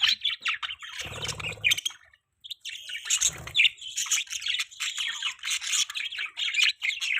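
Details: Pet budgerigars chirping in the morning: dense, busy bursts of high twittering and warbling chirps, almost continuous apart from a short pause near the middle, with a few lower, harsher squawk-like notes mixed in.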